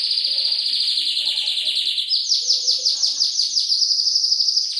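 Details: Canary song from an Indonesian compilation meant for training other songbirds, mixed with calming trickling water: rapid, dense high trills, stepping up in pitch midway and rolling on steadily.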